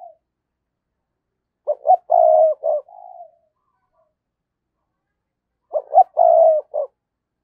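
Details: Spotted dove kept as a decoy, calling to lure in 2022. Two phrases about four seconds apart: clipped notes, a long purring coo and a short end note. The first phrase trails into a softer, lower coo.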